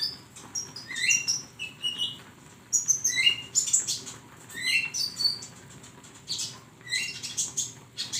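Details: Training recording for songbirds featuring a flowerpecker: clusters of sharp, high-pitched tweets and quick squeaky slurs, separated by brief gaps.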